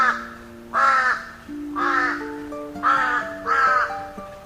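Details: Hoarse 'kar-kar' cawing of a crow, five rough, grating calls with uneven gaps, heard over sustained background music.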